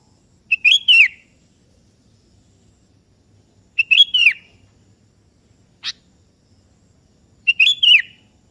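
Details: Active sooty-headed bulbul of the kutilang kebo type calling a rival, which joins in: three matching bright whistled phrases about every three and a half seconds, each a quick rising then falling flourish, with one sharp click between them in near silence.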